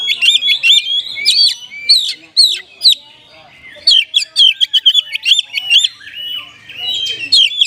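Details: Oriental magpie-robin, singing like a kapas tembak: bursts of loud, sliding whistles and chips separated by a short quiet gap, then a fast series of clipped notes and a closing softer trill.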